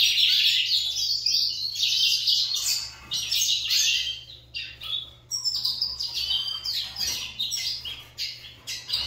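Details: Caged lined seedeaters competing in song, overlapping bursts of fast high twittering and buzzy trills broken by short pauses, phrases repeating several times a second; a steady low electrical hum runs beneath.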